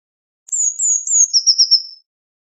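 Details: One blue tit phrase: a few very high drawn-out whistles gliding slightly lower, then a quick trill of pulsed notes at a steady pitch, clean and isolated.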